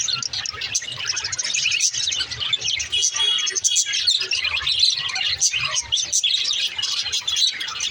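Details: Pet budgerigars chattering in a dense, continuous stream of high, bright chirps, warbles and short squeaky notes, overlapping with no pauses and forming a busy twittering texture.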